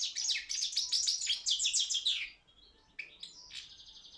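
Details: Serbian competition song of the Balkan goldfinch, Carduelis carduelis balcanica: a run of quick, jingling, buzzy twitters for about two seconds, then a few thin, sparse high notes.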